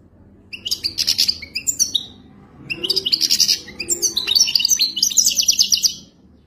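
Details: Goldfinch mating song for tutoring a caged bird: two long runs of lively, jingling twitters and buzzy trills, the second fuller and longer, with a short gap between them.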